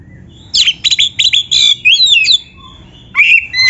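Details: White-rumped shama song for training other birds: a fast series of bright chipping notes running into twisting whistles, then a brief pause and more whistled notes.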